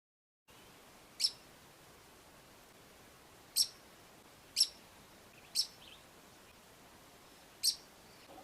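A red-wattled lapwing gives five sharp, shrill single notes at uneven intervals of one to two seconds against a faint steady hiss.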